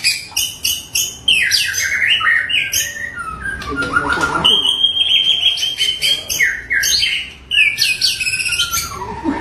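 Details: Varied white-rumped shama song packed with imitation-style elements: rapid high stuttering notes, a long level whistle, descending slurs and chattering bursts, loud and nearly continuous.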